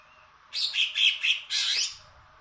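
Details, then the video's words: Caged Greater green leafbird of the large 'kebo' type, a former contest bird, singing very loudly: three quick bursts of bright chattering high notes, then a harsher, broader scratchy burst, all within about two seconds. "cucak ijo kebo(ex prestasi punya sibos)volume badak asli nusuk kuping"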